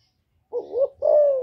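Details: Female spotted dove calling to stimulate newly kept males, recorded directly without background noise: a low two-part coo, a short wavering note followed at once by a longer, smooth, slightly falling croon, with silence before it.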